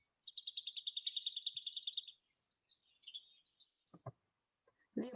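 A Dark-eyed Junco sings a fast, even musical trill of about two seconds, followed by a few soft notes and clicks.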